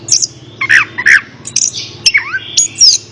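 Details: Orange-headed thrush song intended to get a quiet bird singing: harsh, squawky notes and lower slurred calls mixed with high whistles, over a faint background hum.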